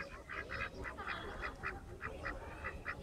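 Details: Ducks resting in Fuentes Brotantes park, Mexico City, giving a quick run of short, nasal, rasping quacks, about a dozen in three seconds at an uneven pace, over a steady low rumble of background noise.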